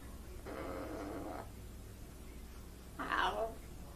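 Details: Pet blue-and-gold macaw, trained to greet and to act like crying, utters a steady, speech-like tonal phrase of about a second, followed by a short, louder, harsh squawk.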